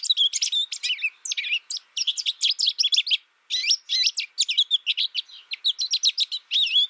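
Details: American goldfinch raised in isolation during its first year, learning from a tutor recording without other birds: a long, fast stream of high, twittering, sweet notes and warbled slurs with a short break near the middle.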